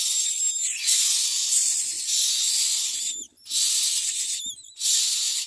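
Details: Hungry myna chicks at feeding time, producing continuous harsh, rasping hisses in four long bursts broken by short pauses, with a faint tonal whistle edging some bursts.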